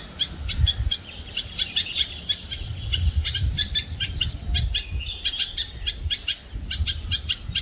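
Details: A red-vented bulbul on a palm tree in the morning in Pune, Maharashtra, India, May 2024, gives sharp, high chirping notes in quick, uneven runs over a steady low rumble of wind or distant traffic.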